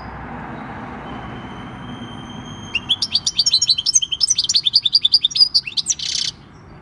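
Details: European goldfinch, wild-caught and six years old, recorded 26 December 2019: a thin drawn-out whistle opens into a lively run of fast, jangling twitters and a final buzzy, scratchy note, then quiet.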